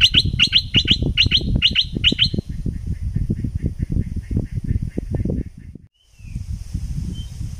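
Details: Thick-billed flowerpecker, southern Thai decoy recording: a quick run of sharp, high chirps, each sliding down, repeated about five times a second for two seconds, then softer faint notes over steady low rumbling background noise.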